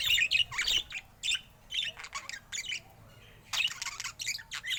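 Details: ['Budgerigar described as looking happy, giving bursts of bright chirps and scratchy warbles in short clusters separated by brief pauses.']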